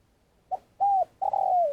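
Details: Spotted dove kept as a trapping decoy in Vietnam, long calling: a short faint note, a smooth coo, then a long level crooning note that starts to fall at the end.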